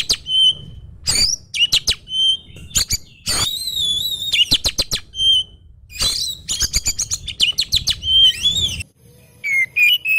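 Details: Oriental magpie-robin, kept by hobbyist collectors, delivering a varied chattering song: short whistles, buzzy trills and rapid clicking notes in quick bursts, with brief pauses and faint low room hum.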